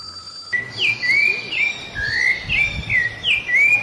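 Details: Small wild bird singing: clear whistled notes that slide down and then rise, repeated in a steady run, with steady low background noise.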